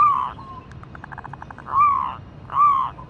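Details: Local female zebra dove calling to a male with three smooth swelling coos, the first followed by a soft stuttering run of faint quick pulses before the next two coos.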